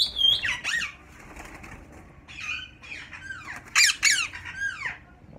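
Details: Yellow ringneck parakeet pairs kept in captivity at Mian Channu give loud, downward-sweeping screeches in uneven bursts, with rustling in the background.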